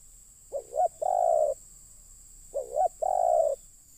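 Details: Spotted dove used as a lure for wild birds, cooing in two phrases about two seconds apart, each a short double note followed by a longer steady coo, over a quiet background with a constant high hiss.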